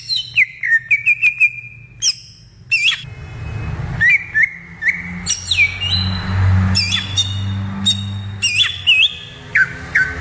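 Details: Wild greater green leafbird delivering varied whistled phrases, sharp descending slurs and high flicked notes in bursts, over a low rumble of passing traffic.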